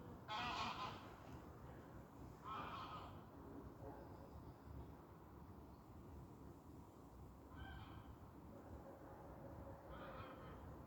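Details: Geese flying past in autumn over water with floating leaves give loud, nasal honks in scattered bursts, several close together then a pause, fading as they pass, over a steady low rumble of water.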